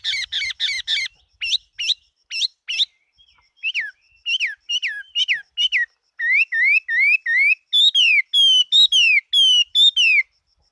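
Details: Chinese hwamei fighting bird in 2018 delivers quick rattled triplets, then a long series of bright whistled notes that dip and rise, repeated about three per second and climbing higher near the end.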